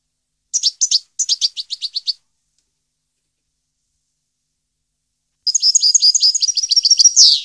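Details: European goldfinch song recorded in 2015: two quick bursts of bright, high, clipped twittering notes, a long silent pause, then a denser liquid run of tinkling trills ending in a buzzy slur.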